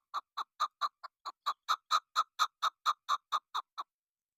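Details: Female chukar partridge, kept as a hunting lure, giving a steady run of loud, throaty chuk notes, about two per second, evenly spaced and rising slightly in strength midway before easing off; no other sounds.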